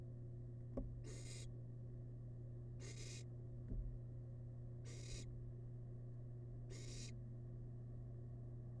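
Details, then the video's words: Wild barn owl chick eating rabbit leftovers in a nest box: four evenly spaced rasping hisses, about one every two seconds, with soft knocks and clicks between them and a steady electrical hum. "Tiny Barn Owl Chick Devours Rabbit Leftovers In Feast!"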